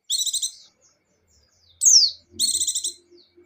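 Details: Energetic 'gacor' white-eye singing in 'ngecir' style: two buzzy, rapidly repeated high trills around a single sharp descending whistle, with brief quiet gaps and faint low background noises.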